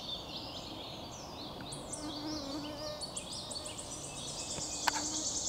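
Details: Wood warbler singing, 22 May 2023: thin, high ticking notes speed up into a shivering, buzzy trill, with a few other high chirps before it over a soft background hiss.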